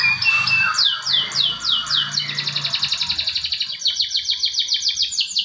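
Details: Canary song used as a lure to get canaries that have stopped singing to sing again: fast rolling high trills of quick downward-slurred notes, shifting into a brighter, faster buzzing trill. Faint low hum underneath.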